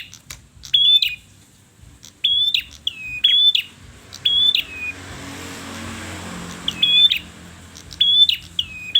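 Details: Persistently singing red-headed perjak giving short whistled phrases: a bright note that levels off and trails slightly downward, repeated in irregular bursts every second or two, with a passing vehicle's hum in the middle.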